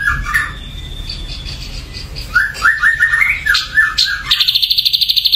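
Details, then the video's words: Ashy drongo said to be dosed with a supplement, giving clear whistled notes that slide and jump between low and mid pitch, then a fast, high, buzzy trill of evenly repeated pulses at the end. "SRIGUNTING ABU KENA DOPING"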